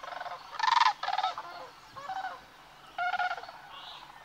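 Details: Sandhill cranes migrating along the Platte River in Nebraska on a March morning; a few loud rattling bugles stand out over a softer background of more crane voices, with short pauses between bursts.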